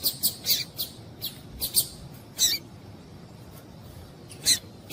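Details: Call of a female Double-collared seedeater, meant to warm up a male: a burst of rapid high chips early on, then a few isolated sharp notes after a quieter stretch.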